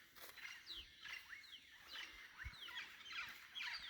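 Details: Wild birds calling at dawn, around 6:00 AM, in Tikal National Park in January 2025; several overlapping birds give quick, clear, downward-sliding whistled notes, repeated in bursts with a faint echoing quality. A soft background of low rumbles lies underneath.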